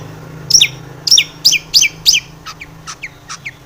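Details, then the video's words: Long-tailed shrike lure singing to spur shrikes into agitated song: five loud, sharp falling chips about every third of a second, followed by softer, quicker clipped notes trailing away, low hum underneath. "SUARA cendet gacor ATATCLETAT pancingan cendet agar bunyi emosi"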